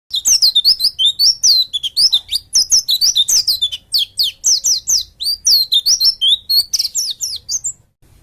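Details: Oriental white-eye from Bali singing in the dakun style, used to prompt other white-eyes to open up and sing: a fast, lively stream of high, twisting whistled notes and chirps. The notes come in rapid bursts for about eight seconds.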